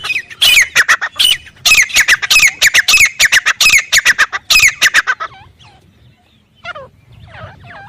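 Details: Wild desert teetar in a desert area, giving a fast run of loud, harsh, squawking notes about three per second for five seconds, then fading to faint scattered calls.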